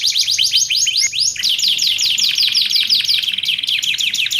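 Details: Canary song for training and luring canaries, with quick falling chirps, a short pause, then a rapid pulsing trill over a bright high buzz.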